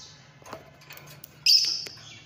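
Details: Fischer's lovebird (Agapornis fischeri), chirping call.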